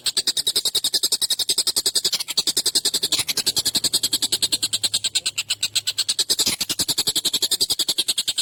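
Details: Agitated collared kingfisher with a long, sharp, coarse call meant as a tutor for songbirds. Rapid rasping notes pour out without pause for over eight seconds, with slight dips in strength around two and six seconds.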